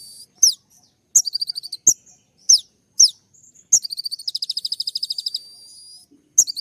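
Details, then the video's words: Kolibri ninja (sunbird) in a fiery 'tembak' style song, used to provoke other caged birds and to court a female: sharp high chirps in short bursts alternate with a rapid, even trill of about fifteen notes, with brief hissy pauses. "putar sekali koninmu pasti nyaut masteran suara tembak yang buat konin emosi"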